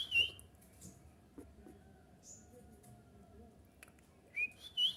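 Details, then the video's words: Kutilang emas bulbul singing to provoke other bulbuls into replying. It gives brief high whistled notes at the start and at the close, with a faint thin squeak in the middle and a soft background hum. "suara kutilang emas ini membuat kutilang kita auto nyaut cocok untuk pancing"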